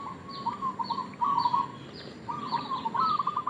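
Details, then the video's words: Lure call of a local zebra dove, meant to draw in other doves: two long purring, stuttering coo phrases, with high descending chirps from another bird above them. "Perkutut lokal gacor suara pancingan"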